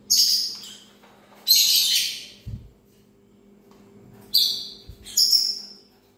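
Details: Parrot giving four harsh, shrill squawks in two pairs, each burst strong then trailing away, with a couple of soft low thumps and a faint constant hum underneath.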